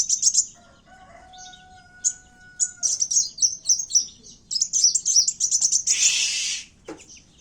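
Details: Kowul fighting calls used as a lure, with canary-like phrasing: rapid, high, buzzy chirps in bursts, briefly broken by a pause, with two steady low whistled tones early on and a harsh rasp near the end.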